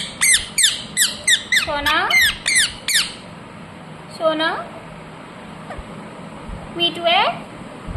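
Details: Talking ringneck parrot opening with a quick burst of sharp squawks, then, after quieter gaps, two drawn-out hoarse, voice-like calls sliding downward.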